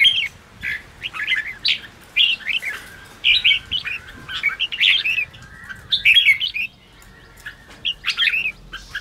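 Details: Red-whiskered bulbul, ché song style for stimulating newly trapped birds. Chirpy whistled phrases of a few notes repeat through the stretch, with a quieter lull near the end.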